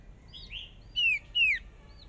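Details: Hwamei used as a contest decoy on its first small practice round gives two strong descending whistles in quick succession, with softer slurred notes before and after.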